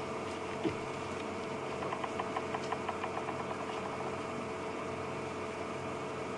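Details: Bearded Woodpecker near sunset on 28 May 2015, drumming its territorial run of about ten even, hollow knocks on a nearby hollow tree, heard from a game-drive vehicle with its engine idling underneath.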